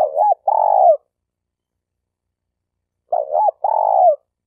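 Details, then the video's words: Malaysian spotted dove used as a trapping decoy: a wavering, looping coo run straight into a long buzzy purr that falls at its end, repeated after roughly two seconds of silence. "Suara Burung Tekukur Denak Padu Juara All Star"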